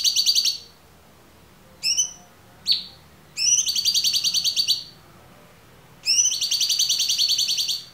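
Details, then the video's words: Clear-voiced cucak cungkok singing as training material for kept songbirds. Harmonic buzzing trills alternate with brief upswept notes and pauses of about a second, with no other sounds. "MASTERAN AMPUH CUCAK CUNGKOK suara jernih"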